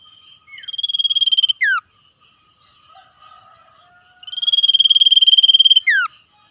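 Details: Common iora song in 'ngetir' style, answering wild birds: soft scattered notes and a short downslur lead into a long rattling trill ending in a falling whistle, with the pattern repeated later.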